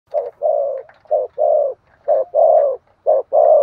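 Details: Spotted dove giving an energetic, repeated cooing call: low, hollow coos in pairs, a short note followed by a longer drawn-out one, repeated roughly every second.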